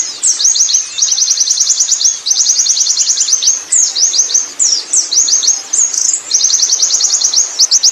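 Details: A wild Oriental white-eye delivers rolling ngerol song, dense bursts of rapid, very high chirps alternating with short groups of sweeping, twisted notes, repeated in close succession over a faint hiss.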